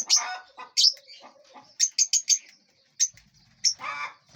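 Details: Several lovebirds feeding and flying inside a large aviary make brief piercing chirps, a quick run of four evenly spaced notes near the middle, and a few harsher squawky calls between pauses.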